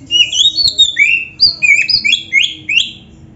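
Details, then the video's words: Kacer, or oriental magpie-robin, singing a training song packed with fill-in notes: a long downward-sliding whistle, then a string of sharp rising and falling whistled phrases, clear and high-pitched. "Suara Burung Kacer yang cocok untuk Latihan"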